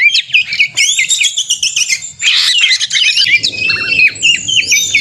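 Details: Fighting song of a white-rumped shama, played to make rival shamas sing: rapid twittering and whistled notes, a buzzy harsh patch in the middle, a low murmur beneath the later part.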